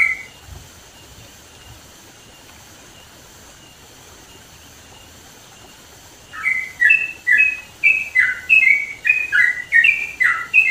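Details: Sooty-headed bulbul singing loudly and vigorously in the mountains of East Java. After about six seconds of quiet background hiss, a run of bubbly, warbled two- and three-note phrases starts and repeats rapidly to the end.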